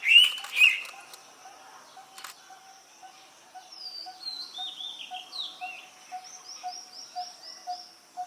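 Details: Indian pitta, a female, calling her partner: two loud clear whistled notes in quick succession near the start, followed by thinner high descending chirps of other birds and a steady low tonk repeating about twice a second.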